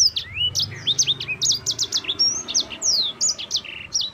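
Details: Champion yellow-fronted canary singing a clear, continuous 'ngerol' rolling song meant to lure and tutor other birds: quick chain of sharp whistled upslurs and downslurs, buzzy trilled segments and high sweeping notes, with a soft low rumble beneath.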